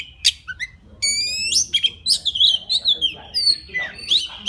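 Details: Male-style song of a forest White-rumped Shama calling a mate: a sharp note, a quick buzzy trilled run, then fluting slurred whistles that rise and fall in quick succession.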